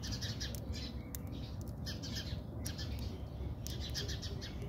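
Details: House sparrows fighting in a backyard in South Africa: a burst of rapid, overlapping sharp chirps and chatter from several birds over a constant low rumbling background hum.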